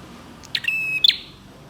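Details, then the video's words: Lure recording of a bar-winged prinia: one short phrase with a click, a thin level trill and a sharp ending note over a low background hiss. "PANCINGAN BURUNG PRENJAK GACOR"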